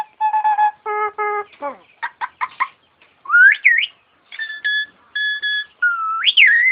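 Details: Caged starling singing and imitating an ambulance siren: steady harmonic tones, rapid clipped notes, then whistled sweeps rising and falling like a siren, with short level whistles between phrases.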